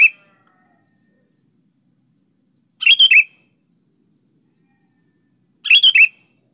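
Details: Sooty-headed bulbul singing strongly, played to coax quiet birds into answering: short bursts of bright, bubbly chirped notes come about every three seconds, with silence between phrases.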